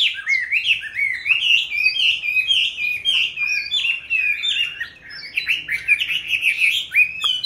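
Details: Chinese hwamei, kept from a juvenile into its fifth year, sings a rich, continuous run of loud whistled phrases, rising and falling quickly, with slurred notes and sharp trills; other hwameis may overlap near the end.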